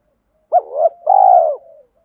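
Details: Single cooing phrase of a spotted dove in the 'giọng thổ' voice used as a training lure: a short rising note, a wavering middle note and a long, steady, throaty coo trailing off.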